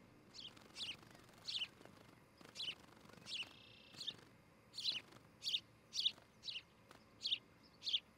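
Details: Osprey on its Charlo, Montana nest, July morning nest-cam recording: high, piercing whistled chirps, loose at first, then regular and louder toward the end, with a faint rattling buzz in between.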